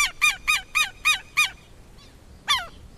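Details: Southern lapwing delivering six brisk, harsh, harmonic cries about every quarter second, a short gap, then one final strident falling note.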